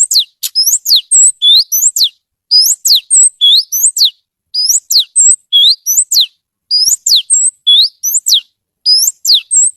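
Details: Kacer (oriental magpie-robin) singing a lively, melodious song of repeated phrases. Each group holds several sharp downward-sweeping whistles and a looping note. Groups come in bursts with short pauses over about ten seconds, clean and loud.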